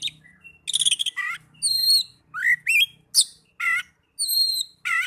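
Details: Young Oriental magpie-robin on a therapy recording, mixing rattling trills, high thin whistled tones, rising slurred notes and harsh buzzy bursts, each phrase separated by short gaps over a faint low hum.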